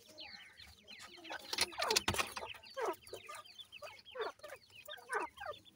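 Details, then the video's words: Week-old grey francolin chicks feeding: rapid high cheeping from many birds, interrupted by loud rustling and thumping bursts of handling noise. "Voice of Gray Francolin Pheasant bird Chicks"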